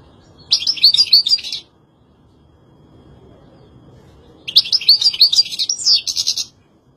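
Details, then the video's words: Two lively, high-pitched twittering phrases from a European goldfinch, each a rapid run of liquid, jangling notes lasting one to two seconds, separated by a silent gap of nearly three seconds. "طائر الحسون.Chardonneret. Jilguero. Pintassilgo. مقنين. شارمار. Saka kuşu. Uang emas. Goldfinch."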